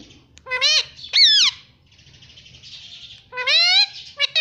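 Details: Pet parrot speaking in loud, harmonic, speech-like phrases: two strong syllables, a hissy quieter stretch, then a longer bright phrase and a short final squeak.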